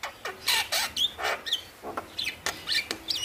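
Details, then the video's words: Male Javan myna sings a rapid jumble of harsh chatters, squeaky whistles and sharp rising notes, about two bursts per second, over faint background hiss; recording used to prompt quiet mynas to sing. "Jalak Kebo Jantan Gacor Masteran - Pancingan Burung Jalak Malas Bunyi"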